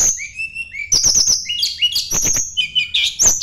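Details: Sunda blue robin (tledekan gunung) singing as if seeking a rival, used as a lure to draw out other songbirds: bright whistled notes and rapid twittering high in pitch, with sharp descending slurs and buzzy trills.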